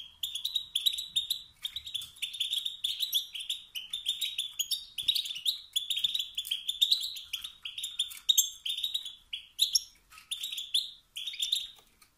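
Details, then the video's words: Male European goldfinch giving motivating 'sitsat' and 'batbat' calls that rouse rival males to sing through competition and dominance; rapid tinkling, twittering notes repeated almost without pause in bright bursts for twelve seconds. "ستستات و بتبتات ذكر الحسون الخلوي التي توقد النار في الذكور الاخرى"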